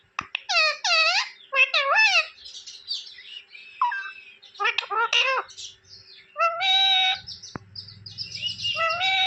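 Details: Pet talking parrot, called mitthu in Hindi, kept at home: a busy run of bright harmonic chirps, whistles and squawky notes, some dipping then rising, with short gaps between bursts and faint background noise.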